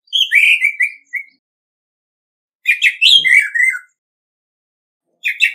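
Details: Orange-headed thrush decoy singing competitively without background noise: a slurred downward whistle and chirp, then after a pause a scratchy, dense phrase of rapid notes tumbling into descending whistles, and the start of another phrase.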